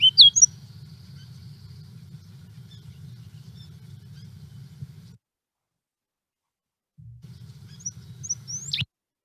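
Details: Ruby-crowned kinglet, a winter bird, giving a quick, sharp, high double note at the start and again near the end, over a steady low hum.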